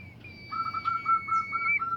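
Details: Bimoli bird song intended to set other bimoli birds singing. A long thin high whistle runs over a string of clear, evenly spaced lower notes, about six a second.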